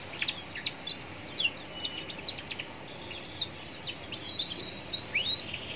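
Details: Young canary singing against roadside background, used to make other canaries answer; a near-continuous stream of high chirps, short trills and whistled slurs, ending with a rising whistle, over steady low ambient noise.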